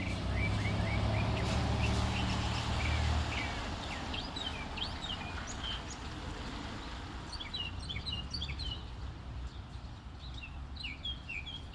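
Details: Small bird singing vigorously to attract a mate in spring beside a parked car: short high chirps and slurred notes repeated rapidly, faint against a steady low rumble of traffic or engine noise.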